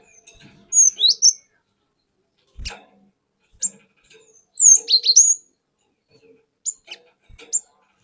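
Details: Cinereous tit song from a forest-caught bird, used as a lure to provoke other birds into singing. Two short bursts of high, sharp whistled notes that swoop and drop, with faint clicks and knocks in the pauses.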